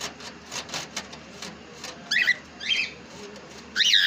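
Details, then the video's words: Pet cockatiel gives three separate bursts of sharp, wavering chirps, each louder than the last, after a few seconds of soft background rustling. "Cocktail Parrot Ne Kya Bol Diya"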